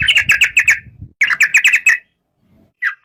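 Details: Chattering phrases from a yellow-vented bulbul: two quick strings of six or so bright, bubbly notes, then a single short note near the end.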